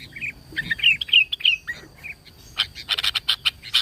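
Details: Sooty-headed bulbul singing as a lure to draw other bulbuls: a run of liquid, slurred whistled phrases, then a dense burst of rapid chattering notes near the end.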